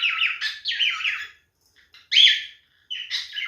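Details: A male cockatiel calling in courtship: bursts of rippling, trilled whistles and chirps separated by short silences, one clear rising whistle in the middle.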